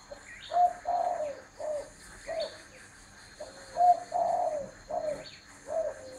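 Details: Spotted dove cooing: low, hollow phrases of two to three notes, the last drawn out and slightly falling, repeated in groups with short pauses. Another bird adds thin, descending chirps in the background.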